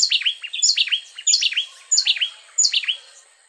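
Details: Two Costa Rican wrens sing an antiphonal duet, trading notes so it sounds like one bird. One bird starts first, ends last, and is nearer and louder. High whistled phrases with sharp falling slurs repeat about every 0.6 seconds, five times.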